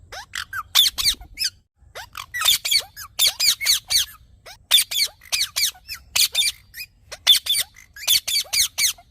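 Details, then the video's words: A green parrot gives harsh, squeaky screeches in quick bursts of two to four notes, repeated about every second, with brief pauses between groups. "Green Parrot Natural Sounds"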